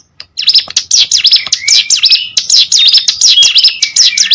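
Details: Hill prinia in continuous song, loud, quick high chirps with down-up sweeps repeated more than once a second, with a few thin level whistles between them.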